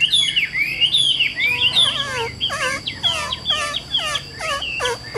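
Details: Caged Chinese hwamei mixes clear whistled slurs with repeated throaty, downward-curving notes rich in overtones, delivered in a steady, emphatic sequence.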